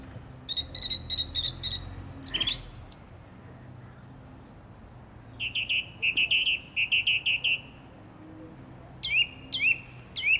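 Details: A single song thrush sings in a garden in April 2021, heard from early morning to evening. Varied phrases: a buzzy stuttered note repeated five times, sharp chirps, then a trilled phrase repeated, then rising whistled upslurs.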